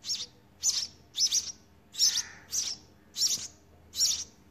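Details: House sparrow chicks in their nest during feeding, repeating thin, piercing squeaky chirps in short clustered bursts about every half second, with faint low rustling beneath.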